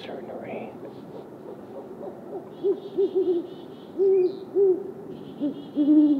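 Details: Great horned owl pair duetting territorially, male and female alternating: a run of short low hoots, then longer hoots, overlaid by soft high clucky chitters in bursts.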